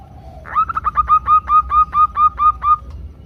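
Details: Female zebra dove calling to the male, used as a lure recording to make doves sing. A soft low tone leads into a rapid staccato series of about eleven clipped, even coos, steady in pitch and evenly spaced.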